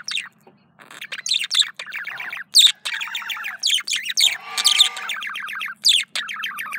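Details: Pet male budgie courting itself: busy, continuous chatter of quick downward-sweeping chirps and clicks, broken by brief pauses, with harsh buzzy grating notes and sharp high squeaks mixed in.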